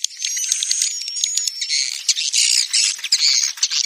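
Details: A dense chorus of swiftlets, a swiftlet house lure or roosting call ("suara inap"), gives rapid, buzzy, high-pitched chattering chirps that overlap almost without pause, with a few thin whistles threaded through.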